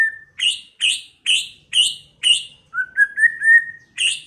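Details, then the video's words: White-rumped shama in early-season varied song: harsh, chattering notes repeated about twice per second, interrupted by a run of rising clear whistles, then the harsh note again; quiet background. "chòe lửa hót,chòe lửa chuyền mùa đầu"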